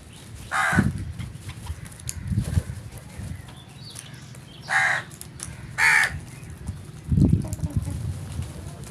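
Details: Crow calling in the morning: three loud, harsh, rasping caws spaced a few seconds apart, separated by quieter stretches over a steady low rumble of background noise.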